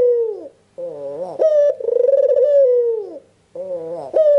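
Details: White Barbary dove with red eyes calling to encourage other doves to respond; a falling coo ends, then a wobbling intro, a quick rising yelp and a long vibrating coo descending at its close.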